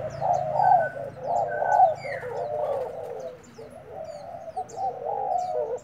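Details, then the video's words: Decoy spotted dove, kept uncovered, fighting soon after arriving. It gives steady low, rolling coos in long runs, broken by a short rising high note. A brief pause follows, then more cooing. Many small birds chirp high above. "Cu gáy mồi trần vừa về đã đấu"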